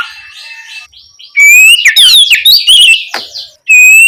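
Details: At night an Oriental magpie-robin sings ngeplong style to stimulate young spotted magpie-robins; soft scratchy notes give way to a loud tumbling burst of rising and bending whistles, ending in one clear held whistle.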